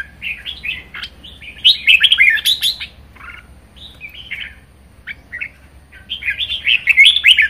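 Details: Caged red-whiskered bulbul performing its lively 'ché' song: tumbling series of sweet whistled and buzzy notes, a loud rapid burst in the middle, softer isolated notes, then another rich rolling phrase.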